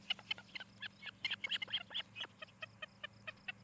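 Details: Rapid, loud chattering of high whistled chirps from an osprey at a nest in Charlo, Montana, recorded by nest camera on 17 July 2018 in the evening, notes tumbling irregularly several per second before thinning out, with faint insect buzz beneath.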